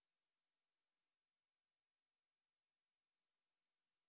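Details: Near silence with only a faint hiss and no animal sound.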